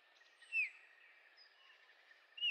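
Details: A Eurasian bullfinch (Pyrrhula pyrrhula) in Heringhausen, Sauerland, Germany, on 15 August 2013, gives two soft, piping, slightly falling whistles about two seconds apart over a faint hiss.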